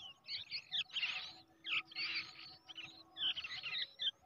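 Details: Brown shrike nestling raised by hand from the egg, giving dense, scratchy begging calls in rapid clusters. Grating bursts run almost continuously, broken by brief pauses.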